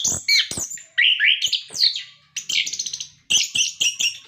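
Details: Orange-headed thrush in loud continuous song, used to prompt captive birds to sing: rich rolling whistles, trills and rasping notes in tight phrases.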